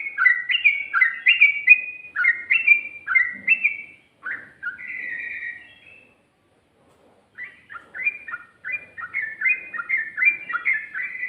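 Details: Sooty-headed bulbul in a ropel-style song with ngikluk and garuda variations: quick runs of short, descending, slurred phrases repeated in bursts, a pause of about a second, then another lively series of chattering notes.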